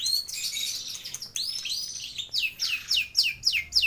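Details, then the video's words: Singing long-tailed shrike with abundant fill-in phrases: scratchy, noisy high chatter giving way to a run of sharp downslurred whistles repeated several times a second. "Burung Cendet Atau Pentet Gacor Isian Melimpah Komplit FULL Master"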